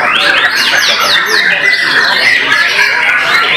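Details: White-rumped shama (murai batu) singing at a bird-singing competition, finishing third runner-up; loud, fast, steeply descending whistled sweeps repeated several times a second, over a dense chorus of other birds and crowd voices.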